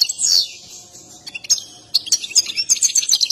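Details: An excited European goldfinch sings while dancing, a performance prized by breeders. A long high sweeping phrase opens, followed by a pause, then bursts of quick high chirps and tinkling twitters.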